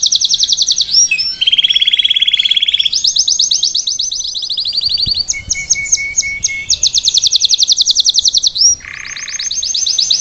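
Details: Salsa canary singing live to teach a young bird: a long sequence of fast, rolling trills at changing pitches, a lower buzzy rolled phrase, brief pauses, and a short harsh low buzz near the end.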